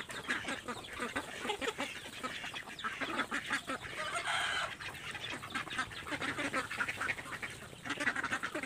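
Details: Ducks crowding to eat after feed is put out, giving scattered hoarse quacks over a busy bed of clatter and pecking noises, with a brief louder burst of calling midway.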